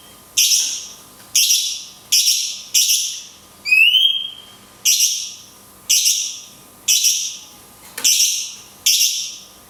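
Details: Cungkok song, "tembakan kunti panjang" with natural pauses, made for training songbirds: a run of sharp, bright high bursts roughly once a second, broken by a single rising whistle.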